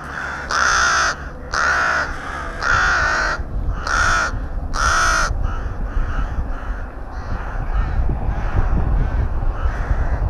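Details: Rook at its nest in a colony near Tyrnovo, calling close by: five loud, grating caws of about half a second each, given in a steady series roughly once a second, then softer, more distant caws from other colony birds over low background noise.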